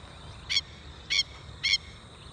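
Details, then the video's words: Masked Lapwings at Oxley Creek Common, Brisbane, Australia, on a morning walk give three harsh, strident alarm notes about every half second, telling nearby White Ibis to "back off"; they might have chicks. "The Masked Lapwings are saying to the Ibis "back off" They might have chicks."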